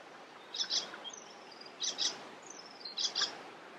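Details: Västerbotten, 27 June 2021: an icterine warbler sings harsh, rasping doubled notes in bursts roughly once a second, with thin, high drawn whistles between the bursts, against soft hiss.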